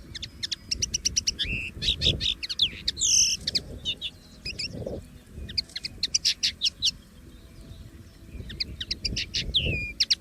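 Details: Free common linnet producing rapid, rhythmic series of chirps and rattles with a louder slurred whistle near three seconds, continuous twittering throughout, over a slightly noisier low-pitched background.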